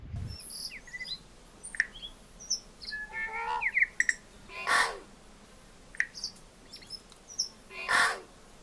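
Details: A tui on Tiritiri Matangi, an island bird sanctuary about an hour by ferry from Auckland, New Zealand, in December, sings a varied medley of high clicks, bell-like notes and chattering runs, broken twice by harsh wheezy bursts about three seconds apart.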